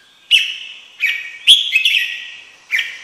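Red-whiskered bulbul giving bright, liquid whistled phrases, five short bursts in three seconds, each sliding and warbling in a high clear pitch.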